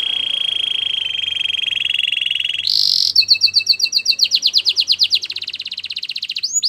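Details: White Belgian canary singing: a long steady high trill, then a buzzy burst, followed by rapid rising-falling chirps at about four per second, ending in fast repeated notes.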